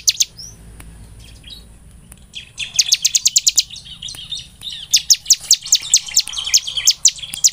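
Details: Bar-winged prinia (ciblek semi) song used as a lure to stimulate other birds to sing. After soft scattered chirps, it breaks into fast runs of sharp, high, repeated chip notes that sweep downward, several bursts in close succession.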